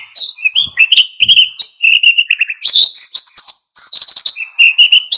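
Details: Rich, busy song of an oriental white-eye in wild ngalas style, used to spur other birds to sing: continuous varied warbling with sliding twitters, rising and falling high notes and rapid trills, almost without a pause.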